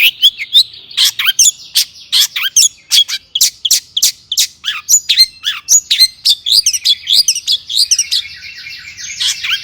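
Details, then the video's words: Persistently singing long-tailed shrike in an agitated mood, used to provoke other shrikes: a continuous, busy medley of sharp chips, quick trills and bright whistled notes, ending in a buzzy sustained chatter. "burung cendet gacor EMOSI AMPUH untuk PANCINGAN CENDET AGAR BUNYI"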